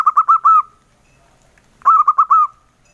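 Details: Local male zebra dove giving its engkel-style song: two soft rolling coo phrases, each of four quick mellow notes ending in a drawn-out tail, separated by over a second of quiet.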